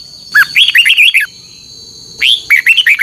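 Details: Red-whiskered bulbul, contest singing recorded to train and provoke caged birds in the morning; fluid, rolling whistled phrases with downward slurs, two bursts separated by a short pause, with a persistent high tone in the background.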